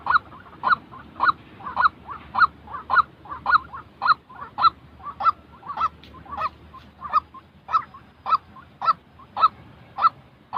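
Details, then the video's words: White-breasted waterhen calling, real sound meant to train decoy birds for trapping; long, steady run of harsh honking notes about twice a second, each paired with a softer secondary note. "tiếng chim quốc thật"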